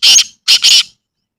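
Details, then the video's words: Black francolin in a natural village environment giving loud, harsh, grating notes: one rasping burst, a short pause, then a close pair of scratchy notes, with no other sounds. "Kala Teetar Ki Awaz | Black Francolin Voice"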